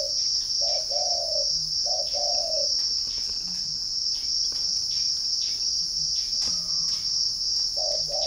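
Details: Spotted dove coo phrases from a bird garden in Ba Vì district, Hanoi, Vietnam: two clipped-then-long falling coos early, a pause with faint low notes, then another coo at the end, backed by a shrill insect hum.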